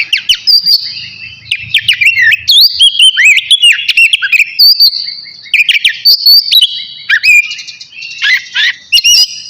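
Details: Oriental magpie-robin, the navy type, singing energetically before bathing: a long flowing sequence of sharp whistles, downslurs and buzzy trills, nearly unbroken, with a faint low hum early on.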